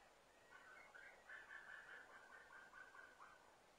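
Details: A white-tailed eagle chick begs at its nest on Smøla, Norway, in the early morning (29 September 2017, about 06:53), with a fast run of thin, high piping notes, two or three a second, over a steady hiss; adults also calling.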